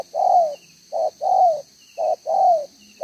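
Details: Spotted dove kept as a decoy, singing 'đồng gáy 1 hậu' style coos, June 2023: a clipped short coo answered by a longer, fuller coo that slides downward at its end, pattern repeated.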